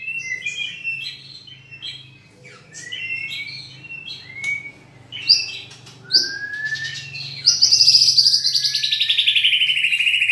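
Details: Champion White-rumped shama with rich filler song material delivers a varied run of short whistled and slurred notes, some sharp upward sweeps, ending in a loud, fast buzzy rattling trill over a low background hum.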